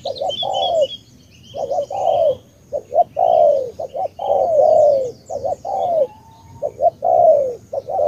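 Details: Spotted dove from Cà Mau, Vietnam, cooing tú-style in a long, busy run of short clipped notes and drawn-out falling coos, about two dozen phrases a minute. High chirping from other small birds is heard throughout.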